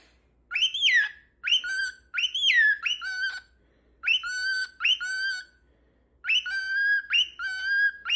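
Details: Cockatiel giving loud clear whistled calls in phrases, each rising sharply then falling to a steady level note, repeated in bursts with short silent gaps, in a quiet room.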